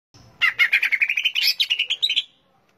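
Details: Greater green leafbird, locally called cucak ijo, singing a rapid, dense burst of chirpy, warbled notes about two seconds long that rise slightly in pitch toward the end, with no other sounds.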